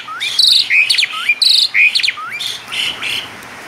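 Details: Asian pied starling's lively 'isian mewah' song: a repeated phrase of low upward-sweeping whistles, bright buzzy trills and sharp clicking notes, cycling roughly once a second.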